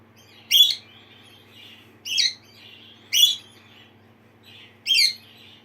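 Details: A pet lineolated parakeet (barred parakeet) reacts to a playback of its own contact call, giving four sharp, chirpy contact calls about a second apart, with softer twittering between them and a low steady hum behind.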